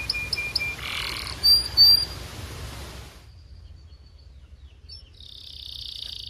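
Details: Belgian canary (Serinus canaria domestica), song.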